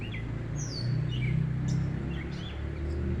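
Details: Perched in a tree, a gray catbird sings its song through a June 2024 evening at sunset, holding the same spot it uses all day. Quick, varied squeaks and slurred whistles tumble out, about four per second, over a loud low rumble.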